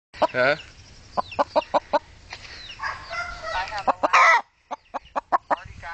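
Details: Domestic chicken answering a woman who talks to it: sharp, short clucks in quick irregular bursts, two loud, harsh squawks near the start and end, with the woman's voice heard between the calls.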